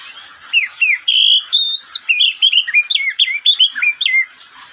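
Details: Kept oriental magpie-robin in midday song, pouring out fast, clear whistles with swoops, upward flicks and buzzy inflections, phrases tumbling one after another with brief gaps, no other sounds noticeable.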